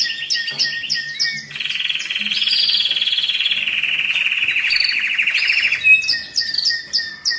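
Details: Canary singing for teaching young and stimulating males and females before breeding, moult and rest stage: choppy repeated chirps open into a long, rapid rolled trill lasting about four seconds, then sharp bright notes return.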